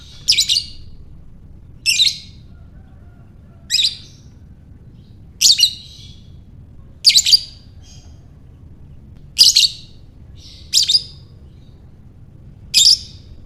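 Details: Lovebird calling in ngekek style, a series of eight sharp raspy chattering bursts spaced about one and a half to two seconds apart, steady low background hum.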